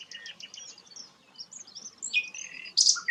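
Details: Soft, rambling twitter of the rare sikatan londo, with thin high notes and slurs, ending in a few louder sharp whistled notes.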